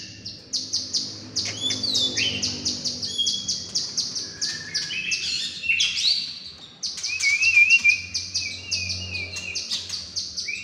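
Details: Indonesian white-rumped shama being readied for contest singing delivers a long, busy stream of clicking chips and fluty whistles, with a brief lull before a louder burst of rising and falling whistled phrases.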